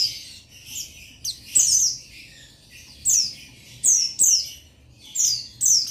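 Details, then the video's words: Rival-calling song of a male buxtoni Oriental white-eye, meant to spur other males to sing, recorded 15/7/21; high, sweet falling chirps given singly and in close pairs with short pauses. "Buxtoni Memanggil Lawan Memancing Bunyi Jantan"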